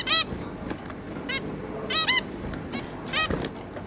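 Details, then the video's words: Zebra finches, a pair with their three juveniles, recorded 11 May 2022: short nasal harmonic beeps in scattered bursts, some doubled, over a faint low background hum. "Zebra Finch"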